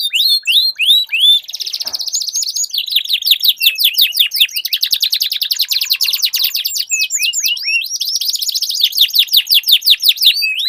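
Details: Duelling canaries with long rolling song: quick slurred notes open into extended dense trills and rattling rolls, broken by sharp sweeping whistles, high-pitched and nearly continuous throughout.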